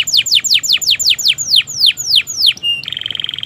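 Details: Canary singing long phrases to prompt stuck and young canaries: loud falling whistled sweeps about three per second, then a held tone and a quick buzzy trill.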